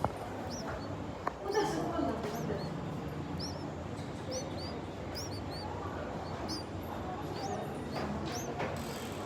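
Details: Three hungry bulbul nestlings in the nest, day 3, beg with thin, high, upslurred squeaks, given in irregular bursts of one to three, over a steady low rumble and background hiss.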